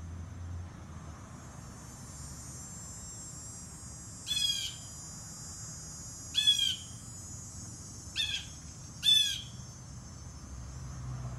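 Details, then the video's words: Blue jay recorded from afar: after a quiet start, four rough, buzzy jay calls come in quick succession, the last two close together, over faint steady hiss. "Geai bleu"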